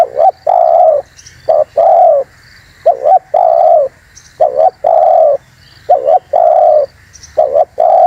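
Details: Spotted dove call used for trapping and provoking wild doves; a run of six or so phrases, each a quick double coo then a long mellow coo, at a steady rhythm.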